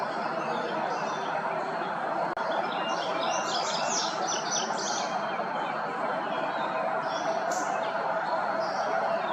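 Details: Indigo Bunting in late May in Lancaster County, Pennsylvania, singing from a tree and then at ground level: a quick run of high, sweet, paired notes partly covered by broad background hiss.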